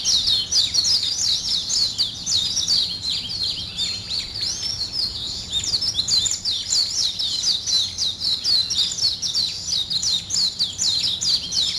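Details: Continuous morning chorus of very high, rapid chirps and twitters packed closely together, rising and falling in loudness without pause.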